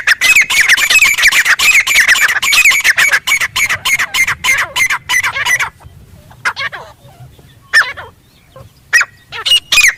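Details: Grey francolin calling loudly in the wild in jungle. Harsh, ringing squawk notes repeated rapidly, about three per second, for nearly six seconds, then a few scattered shorter notes with quiet gaps between.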